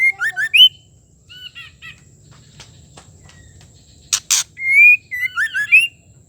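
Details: Female white-rumped shama giving calls meant to prompt a male into song; bursts of bright twisting whistles, a few softer chips, two loud clicks, then more looping whistled notes.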